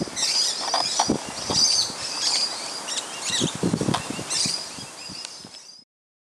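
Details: Musk lorikeets feeding in a tree out front on a Christmas morning, a loud ruckus from many birds; dense shrill screeching and chattering overlapping almost without pause, with low thumps and a brief spoken remark.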